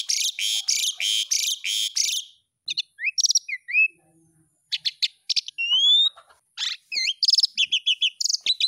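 Asian pied starling song: about five harsh, buzzy bursts, then a jumble of clear rising and falling whistles, chatters and clicks.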